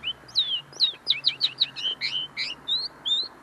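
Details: Caged linnet, very tame and singing up close, its notes still maturing: a lively, steady stream of short twittering chirps and slurred whistles, with a low hum underneath.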